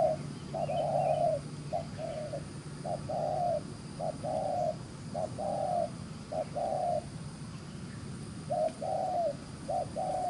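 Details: Rapid, quick-paced cooing from a wild-caught field spotted dove: around a dozen soft, hollow coos mixing short and drawn-out notes, a brief gap near the end before two more, over low steady background hum.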